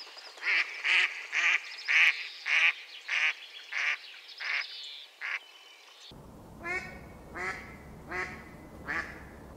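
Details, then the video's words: Mallard quacking in a rapid run of about a dozen loud, raspy notes. The run cuts abruptly to a second, quieter stretch of similar quacks with more background noise. "Mallard Duck | Chirping Singing Birds"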